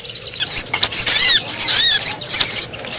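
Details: Sogon calls for luring wild birds: a few clear, curved high chirps rising and falling, delivered in quick bursts with short gaps between them.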